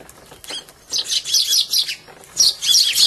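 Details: Sparrows fighting while feeding and dashing into a bush, recorded 8 February 2011: soft wing flutters, then bursts of high, busy chirping in two clusters.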